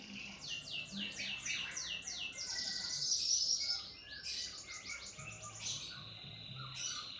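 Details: Lopper canary in energetic song: rapid series of high, sliding trill notes, a brief buzzy rattle in the middle, then more quick rolling trills, over a low hum.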